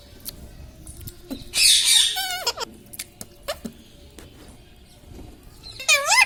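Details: Pet parrot kept at home, said to talk and say words like "mummy", "papa" and "radhe radhe"; a harsh squawking burst, then wavering, tonal, voice-like syllables and a final rising-falling harmonic call, with quiet room noise between.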